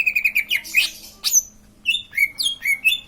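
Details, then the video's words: Green leafbird delivering varied chirps and whistles: rapid twittering notes, a sharp upward sweep, then several slurred whistles in quick succession. "Burung cucak ijo lain pasti ikut bunyi"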